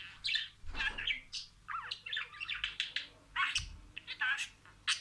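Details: Talking pet budgerigar reciting words in order. Uneven scratchy phrases and nasal squawky syllables, broken by two dull low knocks and short gaps.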